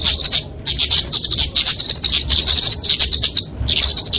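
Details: Flowerpecker fighting song meant for training and luring small birds: thin, high twittering bursts broken by short silences, fast and insistent.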